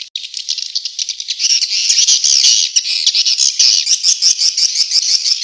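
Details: Lure recording in the Tombak Raja style, used to attract swiftlets: a continuous shrill, buzzy chattering trill with a fast pulsing rhythm, growing louder after the first second.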